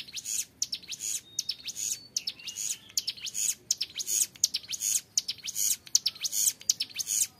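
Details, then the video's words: A young, actively singing Hill Prinia delivers a long, clear ngebren rattle: strings of sharp, high ticking and buzzy pulses running almost continuously, grouped into rapid bursts. "CIBLEK GUNUNG MUDA GACOR NGEBREN PANJANG SUARA JERNIH"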